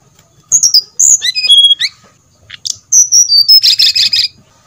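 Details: Brown-chested jungle flycatcher singing, played as a lure to get birds singing: high clear whistled notes, some held level, others slurred down, closing with a rapid buzzy trill of repeated notes.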